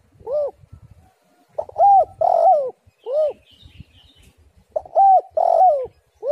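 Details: Lure call of a female spotted dove, repeated phrases of mellow coos: a single arched note, then a pair of coos with the second longer and wavering downward, phrases recurring roughly every three seconds; faint high chirps in the background.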